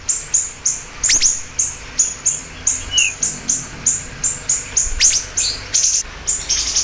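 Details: Lively siri-siri bird, for luring and training: an unbroken string of bright, very high chip notes, roughly three per second, with a few sharper upward flicks mixed in over quiet background.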